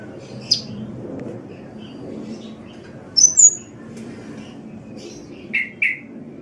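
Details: Kolibri (sunbird) giving scattered, thin, very high chirps and short sharp notes, some paired, separated by pauses over a steady low hum.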